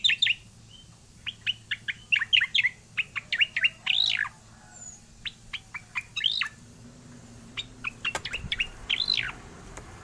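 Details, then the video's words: Oriental magpie-robin giving its vigorous rolling song: bursts of sharp, varied chirps and slurred whistles, quick clusters broken by short pauses, with occasional squeakier up-and-down phrases over a low, steady hum. "cica koreng gacor suara ngeroll"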